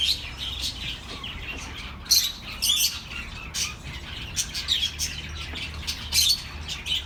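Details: Soothing bird chirps intended for lonely pet birds: scattered short high tweets and squawks in irregular bursts, several voices overlapping, with a steady low hum beneath.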